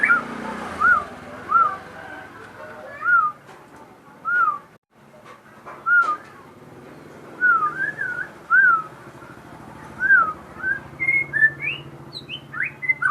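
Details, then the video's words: Crossbred shama singing persistently: clear whistled notes near the same pitch, each with a quick up-and-down inflection, given in loose spaced phrases for about ten seconds, ending in a few higher, sharper notes. "burung murai gacor hasil kawin silang"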